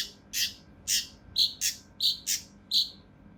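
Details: Mountain leaf warbler in rough, tightly packed song for training competition birds: seven loud rasping bursts, the later ones tipped with bright chirps, spaced about a third to half a second apart.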